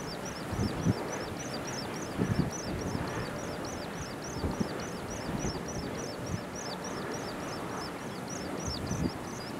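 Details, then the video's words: An Oriental pratincole chick gives thin, high peeps about twice a second, steady throughout, over a heavy low rumble of engine noise. "Oriental Pratincole baby"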